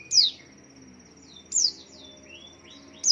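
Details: White-eye singing while swaying, used to tempt other white-eyes to call; three sparse, piercing downslurred chirps about one and a half seconds apart, with softer lower slurred notes between and a low background hum.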